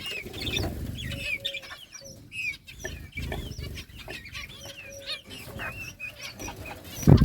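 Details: Budgerigars at play during summer breeding, August 2023: steady soft chatter of short rising and falling chirps, several birds calling, with a sharp clatter at the end.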